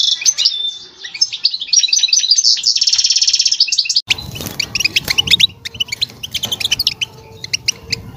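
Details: European goldfinch mating song to stimulate a female ready to breed: a fast bright trill and twitters for several seconds, then scattered sharp chips over a noisier background hum.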